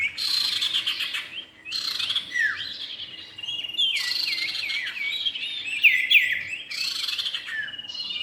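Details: Male and female common iora recorded for luring birds: busy overlapping twitters and looping whistled notes in three loud bursts, bright and high-pitched, with quieter gaps between.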